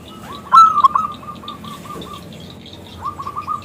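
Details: Singing local zebra dove calling a male to sing: a sharp, loud whistled burst, a steady string of soft staccato coos, then a second quicker run near the end.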